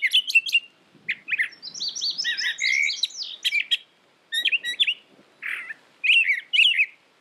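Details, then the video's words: Brown thrasher delivering a long, varied string of chirps, trills and buzzy slurred notes in separate phrases, nearly continuous over seven seconds. "Brown Thrasher Bird Sound, Bird Song, Bird Call"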